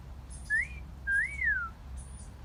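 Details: Short burst of a parrot's wolf whistle in a garden: a quick rising note, then a long slurred rise-and-fall, with faint high bird chirps.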